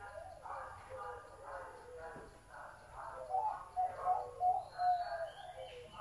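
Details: Zebra dove with a big, deep voice, delivering a run of short, rolling cooing notes in its second half. Human voices and scattered chirps of other birds are heard around it.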